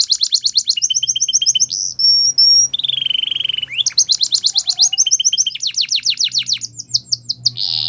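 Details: Male canary singing a loud, varied song: rapid buzzy trills and rolling repeated notes alternating with clear, high, sustained whistles, in a quiet background.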